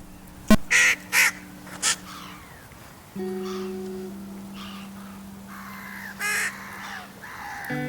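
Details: A juvenile crow begs its parents for food with harsh, nasal caws, three quick ones then a later burst, by the River Thames in West London in August during a hot dry summer, over background music.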